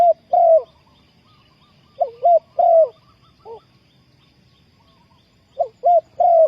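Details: Dove calling to lure wild doves into a trap: paired low coos, a short one then a drawn-out falling one, repeated several times with gaps, one faint soft note between.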